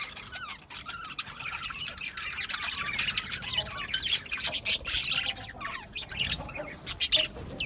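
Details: Budgerigar flock chatter: scratchy squawks mixed with thin whistled notes and quick chirps, rising in intensity toward the middle.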